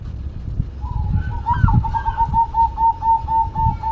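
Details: Singing zebra dove, known locally as perkutut: a soft lead-in and a short rising flourish, then a quick, steady series of clear, pulsing coos about four per second, over low background rumble.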